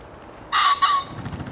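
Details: A wild common pheasant gives its harsh, explosive two-part crow, a loud grating burst then a second shorter note, with faint background noise.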